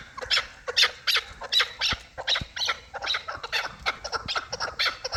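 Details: Hybrid and local chukar partridges calling: loud, harsh clucking notes in uneven bursts, roughly one every second, several birds overlapping with no other clear sounds.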